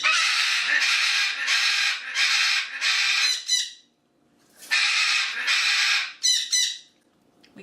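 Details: A female pet blue-and-gold macaw, a talking parrot that has regrown feathers after plucking, gives loud, harsh, raspy squawks in a rapid series of about five blasts, then a pause and a second burst.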